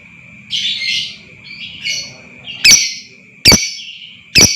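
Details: Lovebird calls to provoke long trilling: drawn-out raspy, buzzy chatter notes at first, then three loud sharp squeaky chirps under a second apart, over a steady high whine and soft low rumble.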